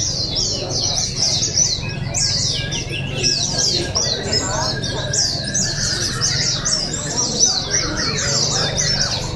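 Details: Oriental white-eyes singing at an open bird song and style contest at Pesta Bederun, Balingian, Sarawak, 2023; rapid, high, twittering phrases of sweet chirps tumble over one another continuously, with crowd murmur and voices underneath.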